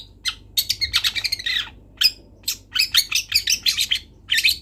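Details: Juvenile long-tailed shrike from Kendal in a training recording: dense, rapid chattering phrases of sharp scratchy notes, mixing in imitative twitters, broken by brief pauses.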